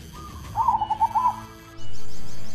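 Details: Zebra dove, a local bird native to the forests of Java with a very short beak, giving a brief rolling run of soft mid-pitched coos; loud rushing noise follows.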